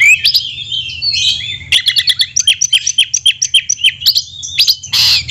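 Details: Oriental magpie-robin, a caged songbird, singing a rich varied song: whistled slurred phrases followed by a fast series of sharp repeated chirps, ending in a harsh burst.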